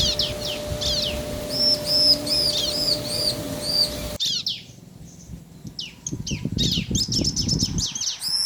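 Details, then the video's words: Bar-winged prinia pair duetting to stir other birds: quick descending chirps and arched high notes at first, then after an abrupt cut a fast burst of sharp chirps over low rumbling noise. "Suara Ciblek Jantan dan Betina Saling Bersahutan - Bikin Ciblek Lain Emosi & Gacor"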